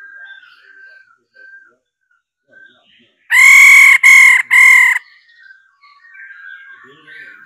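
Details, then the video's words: Female laughingthrush calling to stimulate males to sing: three loud, harsh, nasal bursts in quick succession near the middle, set against soft, warbling chatter before and after. "Khứu mái ro quá đỉnh kích trống căng hót hay"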